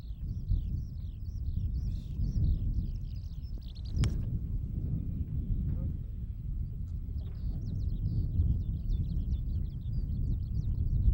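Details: Eurasian skylark at Sone Shinden, Kokura Minami ward, Kitakyushu, Fukuoka, Japan, open farmland, recorded on Betacam SP. High, rapid, chirping warble runs for the first three seconds, pauses, then resumes continuously from about seven seconds, over heavy low rumbling background noise.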